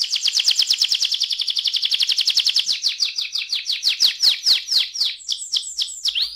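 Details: Canary song meant to set off other canaries singing: a fast buzzy trill slowing into separate downward-sweeping chirps, then short high notes.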